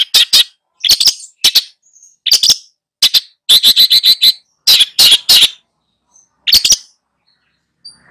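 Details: Tutor long-tailed shrike singing for two pupils: scattered harsh, rasping notes and short stuttering bursts, separated by silences, with one faint thin whistle in between.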